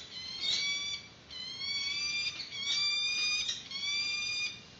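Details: Peregrine falcons at a nest webcam of the Santa Cruz Predatory Bird Research Group, March 2019, during the first feeding of a chick with a yellow bird: long, high, harmonic wailing calls in drawn-out phrases, steady and piercing.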